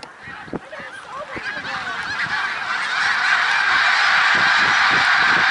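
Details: Snow geese at Middle Creek Wildlife Refuge, Pennsylvania, on March 1, 2021: a large flock's dense chorus of nasal honks builds steadily louder, the overlapping calls merging into a continuous clamor.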